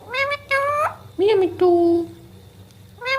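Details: Pet Indian ringneck parakeet indoors, mimicking speech: several high, nasal, harmonic-rich utterances of about half a second each, with pitch sweeping up and down, separated by short pauses over a low room hum.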